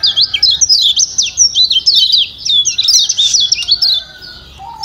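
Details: A Lombok yellow white-eye gives rapid, high "ciak ciak" chattering chips and short twittering phrases, meant to stimulate quiet white-eyes into singing, almost continuous for four seconds before fading out.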